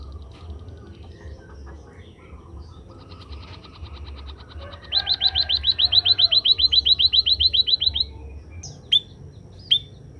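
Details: After a session of sunning, a kept Scaly-breasted munia (emprit kaji) starts with faint, soft ticking, then breaks into a long, even series of about twenty high, sharp rising notes, followed by two lone piercing chirps.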